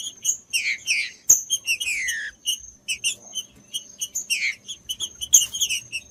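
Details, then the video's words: Green-winged saltator, a stimulating song for warming up a cold bird before singing: bright chirped notes and one long descending whistle early on, followed by quick repeated short high notes, with a faint continuous high whine behind. "TRINCA FERRO CANTANDO"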